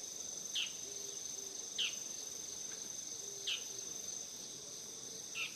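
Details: Bull-headed shrike returning in autumn, filmed next to a house on 17 September 2020; four harsh descending calls spaced one to two seconds apart against continuous high-pitched insect buzzing.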